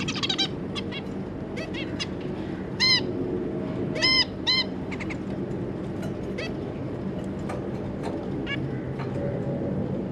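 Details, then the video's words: Zebra finches, two adults and their three juvenile babies, a scatter of soft ticking notes with a few loud nasal honks in small groups, against a constant low hum. "Zebra Finch - Jobby and Yongi, and their 3 juvenile babies"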